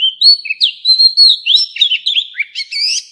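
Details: Oriental magpie-robin, mature wild-caught bird, song used for voice training of young birds: continuous bright, fluid whistling with rapid slurs, rising sweeps and scratchy high notes interwoven, about three seconds long in clean quiet surroundings.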